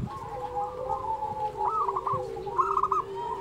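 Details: Local zebra dove song, used as a model to train quiet doves that are slow to sing: soft low cooing with a brighter trilled phrase near the end, over a steady background hum.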